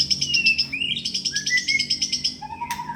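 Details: Caged white-rumped shama in Indonesia, a murai kept in full song and ready for a singing contest, giving fast repeated high chattering notes followed by long clear whistled tones stepping downward, with a low hum beneath.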